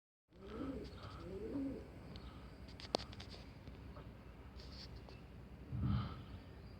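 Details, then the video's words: A pigeon gives two soft, low, throaty coos close together, then a deeper burst of cooing near the end, with a sharp click and a steady background hum. "Pigeon making some noise"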